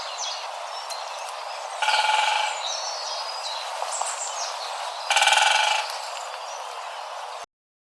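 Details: Wild great spotted woodpecker in forest, rapid territorial drumming: two short, fast rolls of knocks about three seconds apart, with scattered chirps from other birds and a constant natural background hiss.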